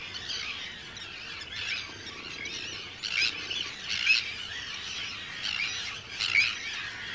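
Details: Arctic tern breeding colony on Rottumerplaat, Netherlands, 4 June 2023, with hundreds of birds close by; high, harsh screeches rise from a background chorus in loud bursts about every second or two.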